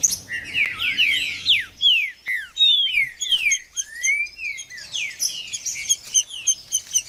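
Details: Green-winged saltator (trinca-ferro) song played to warm up a cold caged bird: loud whistled phrases of sharply slurred, descending notes between about 2 and 4k, delivered in quick bursts with brief pauses.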